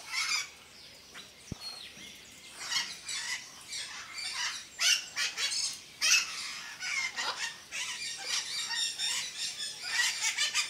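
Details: Parrots and parakeets at Parque de las Leyendas, calling in a noisy flock: harsh, overlapping squawks and chattering screeches in dense bursts throughout, with brief louder peaks and no clear pauses.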